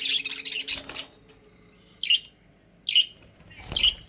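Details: Pet budgerigars kept in a cage, with a harsh scratchy burst of chatter that stops suddenly, followed by three short high chirps spaced roughly a second apart.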